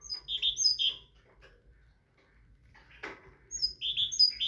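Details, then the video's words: Tit delivering short phrases of high, whistled notes, then a quiet gap broken by a brief rustle before the bright phrases resume. "تغريد طائر الحداد(القرقف) مبدع تبارك اللهchant de oiseaux messange"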